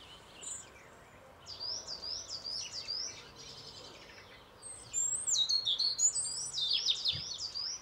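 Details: European robin singing on a grey day, a high, liquid warble of quick twittering phrases and thin, tumbling trills, with pauses between bursts over a soft background hiss.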